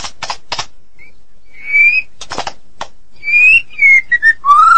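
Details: Lively song of a Medan white-rumped shama. Three harsh rasps open, then long, pure, slightly rising whistles come between scratchy bursts, ending in a lower, sustained whistle.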